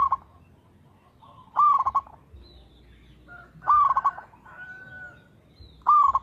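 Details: Zebra dove of local stock singing eagerly. Repeated cooing phrases of a smooth note that breaks into a quick rattle of beats. A thin, higher whistle from another bird sounds between the phrases.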